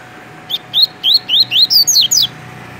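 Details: Tui tui song from a caged double-collared seedeater, Rio de Janeiro, Brazil: a fast string of about nine rising whistled notes, the last few climbing higher and turning into sharper, downslurred chips.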